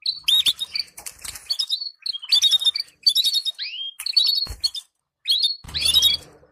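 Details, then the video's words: Canary singing to stimulate breeding pairs: dense, loud phrases of rapid chirps and buzzy trills with a descending swoop, separated by short gaps, and some clatter and clicks. "تجهيز طيور الكناري بتبتات محفزة للطيور دعم ازواج كناري"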